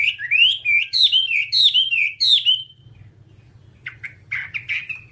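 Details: Tutor recording of a Whambie for training caged songbirds: a burst of strong rising-and-falling whistled slurs for over two seconds, then a quieter, rougher chattering phrase after a short break, with low background hum.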